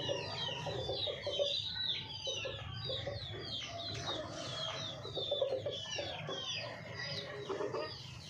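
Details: Hen clucking in steady short low pulses throughout, under a busy chorus of high, downslurred chirps from many small birds.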